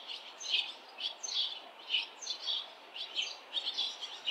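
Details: Many barn swallows busy around a nest at fledging, adults and fledged young visiting a chick still in its nest; quick bright chirps and twittering bursts about twice a second, several birds overlapping.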